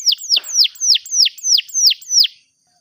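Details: Canary song meant for young canaries learning to sing: a clean series of eight high, sharply descending whistled notes, evenly paced, then silence.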